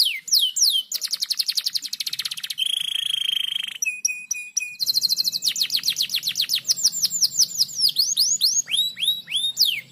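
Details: Canary song used as a lure recording for training other canaries: fast dense trills, sweeping whistled notes, a long flat buzzy trill near the middle, then rapid repeated downslurred chips, continuous and loud throughout.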